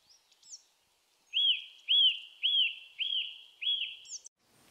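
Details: Eurasian nuthatch in Japan: a run of five loud, clear whistled notes, each arching up then down, evenly repeated about twice a second, with a few faint high chirps before and after.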